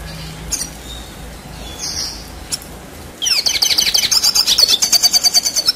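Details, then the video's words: Scattered faint chirps over quiet background, then a red siskin abruptly launches into loud rolling song: a dense, rapid twitter of high buzzy notes and rising slurs repeated about three times per second. The song is used as tutoring for contest birds. "Red Siskin Gacor Ngerol Durasi Panjang"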